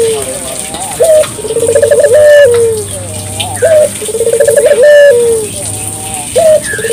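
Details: Local collared dove calling as a lure for morning, noon and night: repeated cycles of a short bright note, a quick bubbling roll, then a drawn-out coo sliding downward, about every two and a half seconds.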